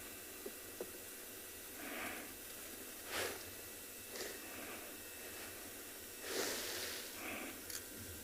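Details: Oxpeckers landing on top of a safari vehicle during a morning game drive in a South African reserve on 4 November 2020 give harsh, hissing rasps spaced a second or two apart, with sharp ticks over a faint hiss.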